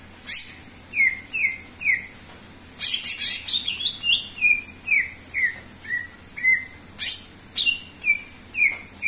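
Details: Greater green leafbird singing persistently, offered as a lure to prompt other birds. A series of bright, downslurred whistles repeats about twice a second, broken by a dense burst of high, scratchy chatter midway.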